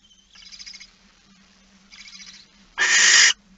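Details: Barn owl with a mouse at night, 15 September 2019 at 23:43: two soft, raspy hisses followed by one loud, harsh, drawn-out screech, over a low steady hum.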